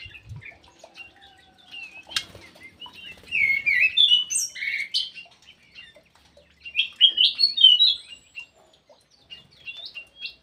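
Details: Ground thrush singing in an aviary in Indonesia, giving separate bursts of quick, high, varied whistles and chirps with short quiet gaps between the phrases.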